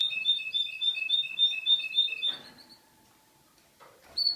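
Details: Yellow male Russian canary from Boston, ready for breeding, sings fast, even rolling trills of bright repeated notes for over two seconds, then falls quiet apart from faint rustling and a short high note at the end.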